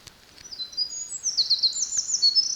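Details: Eurasian wren singing in July 2023 on Kurokawa-Keikanzan: rapid high trills and thin whistled notes run together in a tumbling stream, starting faint and growing louder, with soft background hiss.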